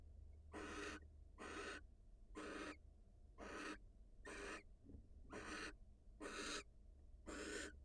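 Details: A wild female barn owl leaves her nest to meet her mate. Eight rasping, breathy hisses come about once a second, each short and even, over a faint low background hum.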